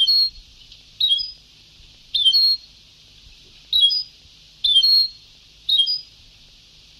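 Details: European goldfinch singing in an old Sebtaoui-style recording: seven sharp, chirpy, high twittering phrases roughly one per second, evenly spaced over faint hiss.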